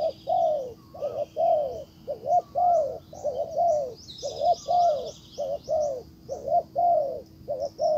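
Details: Caged decoy spotted dove cooing to bring a wild dove closer: a regular series of deep, rounded arched coos, some paired, roughly twice a second, with high-pitched chirping birds and a low electrical hum behind.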